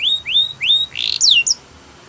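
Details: Brief Belgian canary training song fragment: three rising whistled slurs, a harsh burst, then a quick falling whistle.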